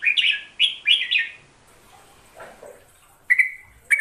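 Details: Hook-billed bulbul singing a fast run of rich, slurred whistles rising and falling. After a short gap come a few soft low notes, then two brief whistled notes close together near the end.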